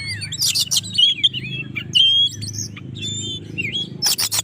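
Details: Oriental magpie-robin in lively song meant to provoke rival birds: quick whistles, rising and falling slurs and short twittering notes, closing with a burst of harsh rasping notes, while a low hum runs underneath.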